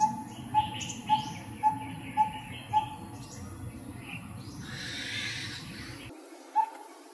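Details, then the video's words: Coppersmith barbet recorded in 2020, calling energetically: five quick hollow tonk notes about half a second apart, then a pause with a soft rushing noise and other faint bird chirps, and one final tonk. "The Intense & The Chill Coppersmith Barbet"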